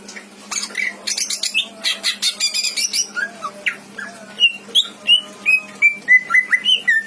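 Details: Caged greater green leafbird in full song, used as a tutor for other songbirds: harsh buzzy chatter at first, then a quick series of bright upslurred whistled notes about three per second.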